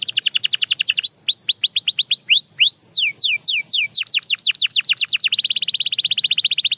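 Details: A Belgian canary pours out fast descending whistled notes, some slower looping swoops, then a sustained dense rolling trill of many quick notes in the final seconds.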